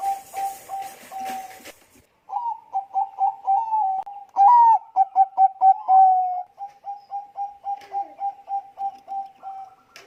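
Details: Zebra dove, Bangkok-type perkutut, used as a lure to trigger other doves to sing: a run of short level coos near the same pitch, then louder rapid bubbling notes and a longer trilled phrase, with a brief noisy burst at the start.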